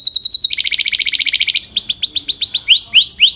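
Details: Canary singing a fast pulsing trill that drops in pitch, followed by sweeping downslurred whistles repeated several times a second and a few rising notes at the end.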